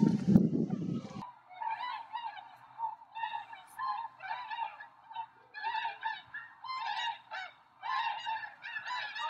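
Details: Tundra swans near Rosedale and Munson, Drumheller, Alberta, Canada, calling as a flock: overlapping high-pitched, nasal honks with rich harmonics, given in rapid excited bursts by many birds, after a short loud rumble of noise at the start.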